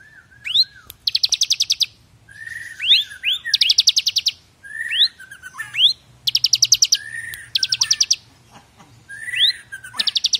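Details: Half-active caged bar-winged prinia with the 'brem AK47' song style, used for training other birds; rattling trills repeat every one and a half to two seconds, each linked by quick rising and falling whistled slurs.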